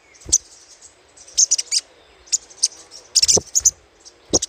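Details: Little spiderhunter lure chattering: sharp, very high chips delivered in quick groups of two to five, with short silences between the bursts.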